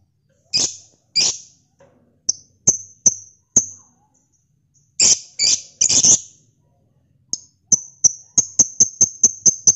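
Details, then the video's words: Lovebird ngekek chatter at midday from male and female birds: sharp, very high, shrill chirps and ticks, scattered at first, then a dense run of rapid, evenly repeated piercing notes. "BURUNG LOVEBIRD NGEKEK"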